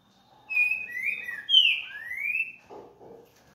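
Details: Green-winged saltator singing a phrase of rich, slurred whistles that glide down and then sweep upward, lasting about two seconds. Two short, low, rough bursts follow at the end.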